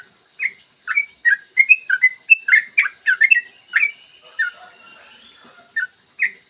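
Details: Morning song of a yellow-vented bulbul, played to stimulate other bulbuls into song: bright liquid whistled notes tumbling in a fast chattering phrase, then a pause and a few isolated chirps, against a silent background.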